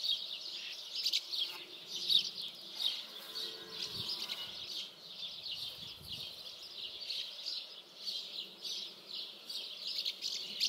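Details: Long run of high, buzzy twittering from common house martins, overlapping chirps swelling and fading in uneven pulses, with a few low thumps and quiet rustling in the background.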